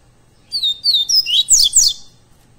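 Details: Double-collared seedeater (coleiro pardo) live recording made for training captive birds: a fast run of high whistled notes, first clean downslurs, then denser buzzy sweeping notes, lasting about one and a half seconds over a quiet low hum.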